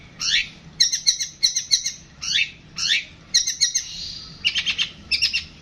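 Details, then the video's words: Long-tailed shrike singing a varied phrase: harsh downslurred chips alternating with quick stuttering clusters of sharp repeated notes, loud and close. "Burung pentet tembak an panjang"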